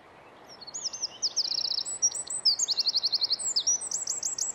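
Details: Winter wren (Troglodytes troglodytes) in Estonia, giving a loud, rapid, high-pitched song of sharp notes and fast trills lasting about four seconds, each trill a quick run of repeated clicking notes.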